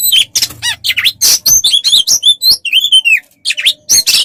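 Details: Loud, dense Oriental magpie-robin song from a tutor recording for training songbirds: fast-changing whistles, trills and harsh scratchy notes packed together with only brief gaps.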